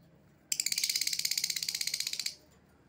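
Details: Lovebird lure call for drawing back an escaped bird: a rapid, shrill, buzzy chatter of about two dozen evenly spaced pulses running for nearly two seconds, then stopping abruptly.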